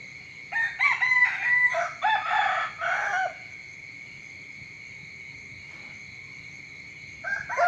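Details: Chicken crowing at dawn: a full crow of several stepped, harmonic syllables for about three seconds, a long quiet stretch with only a steady high tone, then the start of another crow.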